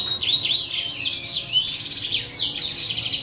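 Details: Chick of the parrot C. frontalis, hand-reared, begging with shrill, rapid chirping and wavering squeaks that run together without a break for the whole stretch, over a soft low background hum.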